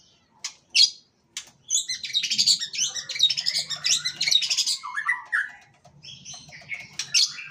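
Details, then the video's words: Champion white-rumped shama singing in the nyosor macul-macul style: after a few sharp separate notes, a dense, rapid torrent of varied high chirps, trills and slurred whistles, ending in quick downward whistles and a final sharp note. "Murai batu gacor juara gaya nyosor macul macul tipikal burung konslet"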